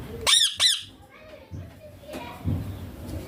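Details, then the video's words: Green Indian ringneck parakeet, a talking pet that says papa and mummy; two sharp, harsh squawks in quick succession, followed by soft thumps and room noise. "Ringneck green parrot loving papa mummy bolne wala"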